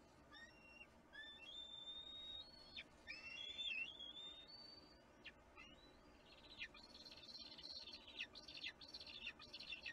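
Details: A bald eagle eaglet, hatched January 12, 2022, at a nest in Kisatchie National Forest, throws a temper tantrum on April 6 when a parent eats the fish; thin squeaky whistles, slurred high notes, then fast sharp chittering over low hiss.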